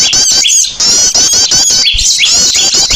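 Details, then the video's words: High, squeaky chattering of many small birds from a noisy lure sound for gathering birds, with quick upward-slurred notes breaking through the dense twitter. "PIKAT BURCIL SUARA RIBUT JAMIN AMPUH PADA NGUMPUL."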